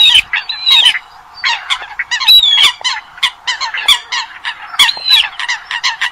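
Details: Eurasian coot calls from a Vietnamese trapping lure for night netting: quick clusters of clipped honks, with a longer descending whistled squeal about every one and a half seconds among them.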